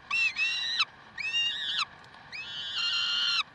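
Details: Karlsruhe peregrine falcons on 30 May 2010 at 7:27: three loud, drawn-out screeching wails, each under a second long, the second slurring upward before dropping at its end, strongly harmonic and rasping.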